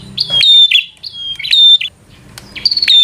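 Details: Bar-winged prinia singing a fighter song to anger a rival: three quick bursts of high, slurred whistles mixed with hard clicking ticks, separated by brief pauses.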